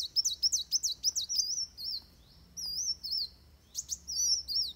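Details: Rapid chattering chips from a Van Hasselt's sunbird in fighting song, a training recording. They settle into drawn-out high warbled whistles spaced about a second apart, and a short chip burst returns near the end.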